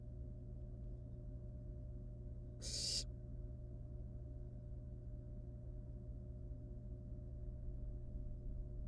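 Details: One brief noisy screech from wild barn owl nestlings in the nest as they deal with a live rat, followed by long stretches of steady background hum.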